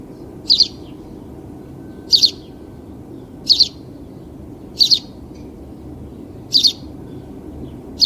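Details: A house sparrow gives six bright, short double chirps, spaced about every one and a half seconds, over a steady low rumble of background noise.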